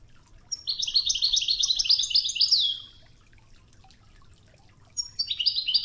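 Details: European goldfinch, Wedani song style, Tougza, from a training recording with river water: a long bright rattling twitter of stacked high notes for about two and a half seconds, then a new phrase begins after a pause.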